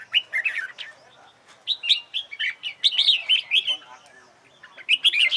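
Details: Red-whiskered bulbul competition singing used to coach birds: clear, bouncy whistled phrases separated by short pauses, with a sharp bright flourish at the close.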